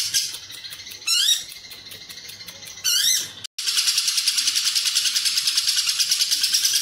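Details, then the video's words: Lovebird delivering ngekek with cililin filling for training competition birds: opening rising squeaky sweeps and ticks, then after a short silence a continuous, high, evenly pulsed chattering trill. "Love Bird Ngekek Isian Cililin Panjang"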